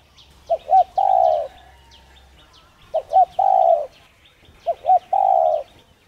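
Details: A spotted dove's cooing, intended to encourage other doves to coo. Three evenly spaced phrases, each two quick notes and a longer steady coo, about every two seconds, with small birds chirping faintly.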